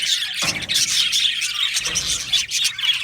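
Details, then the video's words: Aviary of Australian budgies, singing and chirping; squealing, squawky calls ride on dense high chatter, broken by two brief low rustling noises. "Beautiful Budgie singing and chirping sounds"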